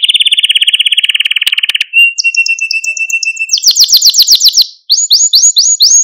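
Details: ['Malta canary song meant to excite and stimulate other canaries: a rapid rattling trill, a thin sustained whistle, then a fast high roll and a few quick rising-falling chirps.']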